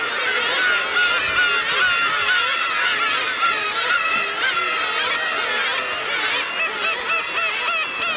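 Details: At Kabushima on New Year's Day 2015, a winter crowd of black-tailed gulls, the most seen there in winter, fills the air with overlapping, quavering mews and squealing cries, an unbroken noisy colony chorus.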